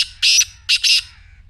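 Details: Black francolin giving two loud, grating, buzzy notes followed by a double rasp, all harsh and noisy, over a soft low hum.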